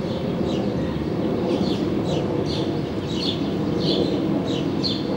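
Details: Four-day-old black-capped chickadee chicks, recorded 19 May 2015 as both parents deliver food; short, high, hissy begging notes come in a regular series about every half second, set against heavy low-pitched background noise.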